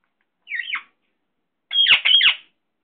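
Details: Pet Indian ringneck parakeet, called a Sindhi parrot, talking: a short raspy phrase, a pause of about a second, then two longer harsh chattering bursts with speech-like inflection.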